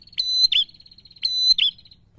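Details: Two ringing prinia phrases from the long-drawn 'gacor ngalun' song that provokes rival birds. Each begins with a steady, high, buzzing trill and ends in a strident pair of sharp notes.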